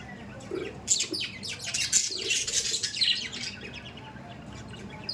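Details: Pet budgies warbling in a dense, continuous stream of rasping, high twitters for several seconds before tailing off into quiet.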